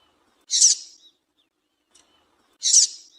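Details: Two clean, hoarse, high chips about two seconds apart from a female double-collared seedeater, a call used to encourage a male to sing; the background is otherwise silent.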